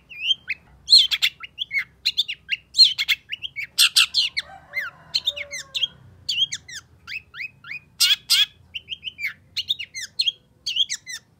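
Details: Long-tailed shrike in full, varied song aimed at restarting a silent bird: quick sequences of sharp chirps, downslurred whistles and rough chattering bursts, with a softer wavering passage partway through.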